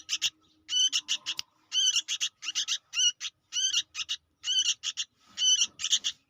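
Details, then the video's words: Young sooty-headed bulbul calling persistently: harsh rasping chirps in groups of three to four, clusters following one another quickly, a faint steady tone humming briefly underneath. "suara anak burung kutilang gacor"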